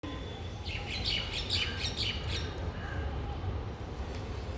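A small bird gives a quick run of high, bright chirps over a low background rumble.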